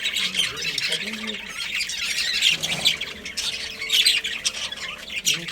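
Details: Pet budgerigar colony chirping and squawking in a dense high chatter, with low human voices murmuring in the background.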